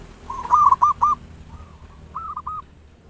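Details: Zebra dove of a local strain, loud-voiced, singing as a lure to set other doves singing. A quick burst of three hooked cooing notes with sharp clicks, then softer notes and a final pair of strong coos.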